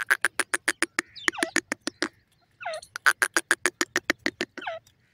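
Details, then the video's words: Black francolin kept at home, calling: a rapid series of harsh, clicking notes, about three to four each second, broken by short squealing, wavering notes. "hosar teetar ki awaz"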